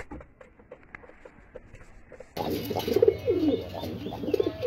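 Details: Pigeons at feeding time in a Bangladesh loft: faint pecking taps at first, then louder throaty coos rolling up and down, several birds cooing at once in a hissy room.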